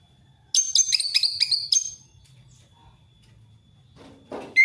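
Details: Orange-headed thrush singing in an open, forest-style manner, used to lure a reluctant thrush into song: a loud burst of rapid, ringing high notes repeated for over a second, a pause with faint hum, then a harsher note.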